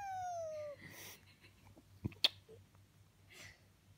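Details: Pet male Senegal parrot, 12 years old, indoors, making a sigh to get attention when he wants something he can't have: one smooth whistled tone with harmonics gliding downward for under a second, then near silence broken by two sharp clicks.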